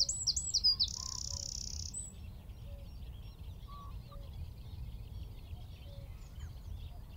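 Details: Eurasian wren singing from a tree at Wicken Fen, about 15 m away, recorded by phone with telescope and shotgun mic; a short burst of high rapid notes and a buzzy trill opens, then fades to soft, scattered calls of other birds.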